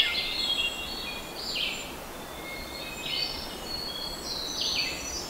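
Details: Hermit thrush (Catharus guttatus), a North American bird of evergreen forests, sings clear, flute-like phrases that spiral upward, about one every one and a half seconds, over a steady hiss of background noise.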